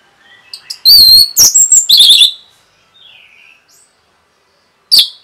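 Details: Orange-headed thrush rapid provoking song; soft chips lead into loud high whistled and buzzy phrases, a quick run of chattered notes, a faint descending whistle, then one sharp final note.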